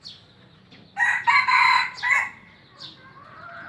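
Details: Captive junglefowl at an Aceh breeding facility gives a loud, harsh crow of about 1.3 seconds: a short burst, a brief gap, then a sustained raspy phrase ending in a clipped final note, with a faint distant call afterward.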